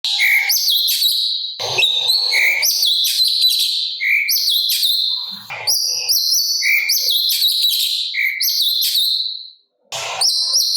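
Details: Sooty-capped babbler in lively 'gacor' song with a harsh 'kasaran' style, used as a master recording for training songbirds: dense buzzy high trills and chatters alternating with short lower whistled notes, brief pause near the end.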